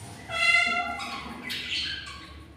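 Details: Albino budgerigar pair with newly hatched chicks from a clutch of seven eggs, four hatched; a harsh harmonic squawk swells then fades, followed by a second rough, noisy call.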